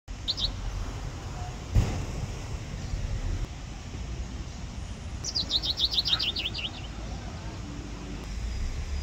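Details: Male common chaffinch on the Leno stream at Rovereto, Trentino, gives one bright, descending song run of quick notes lasting about two seconds, after a few chirps, over steady rushing stream water.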